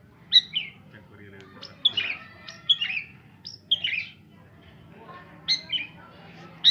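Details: Long-tailed shrike, a mimic of about 40 bird species, giving sharp, high chirps, each falling into a brief rasping tail, in short groups separated by pauses of about a second.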